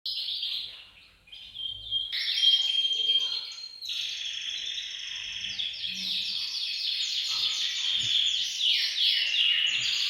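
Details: Many canaries singing together in a bird room to stimulate males to sing and prepare females for mating: dense, continuous, high trilling and rolling song with overlapping voices and no pauses.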